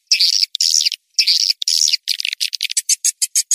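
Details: Swiftlet attraction call: four longer, harsh buzzing twitters first, then a quickening sequence of short, bright, high chips toward the end.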